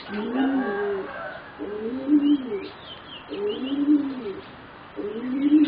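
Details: Young singing zebra doves of a line bred for competition, roughly 3.5 to 4 months old, deliver arched cooing phrases about every one and a half seconds, each a soft rolling rise and fall, with faint high chirps in the background.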